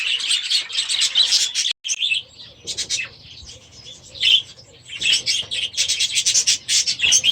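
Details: Last year's budgerigar chicks, now grown and released into a fresh aviary, give rapid high chirps and warbled chatter in bursts, with a brief lull and a soft rustle of wings in the middle.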